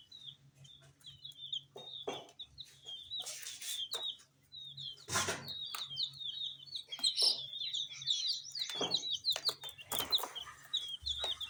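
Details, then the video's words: Several small colored chicks peep busily while feeding on spicy snacks: dense overlapping high chirps, each brief and falling, nearly continuous throughout, with loud rustling bursts and pecking clicks in between. "Chicks Chirping"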